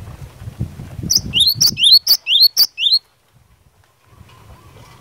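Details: Over low background rumble, a cinereous tit sings about four rapid high-low double-note phrases in the 'gacor fighter' manner meant to make other tits reply, then falls silent.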